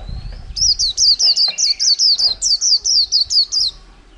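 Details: Caged white-eye, wild-caught and kept in a cage for over a month, singing its prized 'líu' style: a rapid run of about a dozen high, sharply falling chirped notes, evenly paced, in a quiet room.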